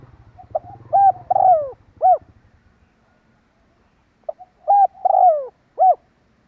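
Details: Spotted dove call played as a lure to bring wild doves in. Two full phrases about four seconds apart, each a short lead note, level coo, long falling coo and final rounded coo. A low engine rumble fades out early.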